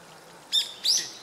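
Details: A brown-eared bulbul (Hypsipetes amaurotis) in Japan on 2 January 2014, taking Solanum lyratum berries, gives two brief, shrill, harsh, slightly buzzy notes a third of a second apart over quiet background hiss.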